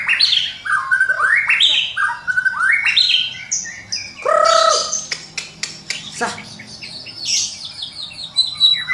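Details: White-rumped shama song full of mimicked phrases, used to train birds in the morning: quick rising and falling whistles, a loud rich note, then a burst of sharp clicks and high buzzy trills.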